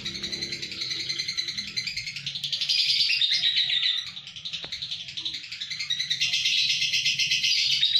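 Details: Lovebird from Kedungadem, Bojonegoro, giving a long, dense chattering song of rapid high twittering notes, about four per second, with brief dips in loudness and a low background rumble.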